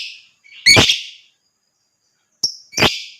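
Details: Lovebird calling to encourage other birds to sing: two harsh, piercing screeches about two seconds apart, with a thin whistled note just before the second.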